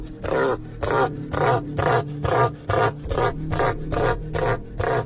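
A cassowary gives a steady series of deep, rough, roaring pulses, about two per second, over a low background hum.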